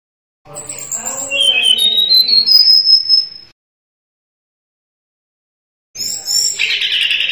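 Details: Sunda robin in full song, used as a tutor recording for cage birds that have stopped singing: high clear whistled phrase climbing in steps to a long thin note, a pause, then a shrill fluttering phrase.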